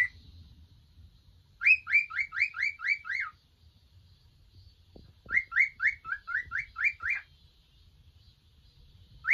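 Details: Three young male cockatiels relaxing at home. Bursts of seven or eight quick, sharp chirps come in rapid rows, separated by quiet pauses, over a faint low rumble.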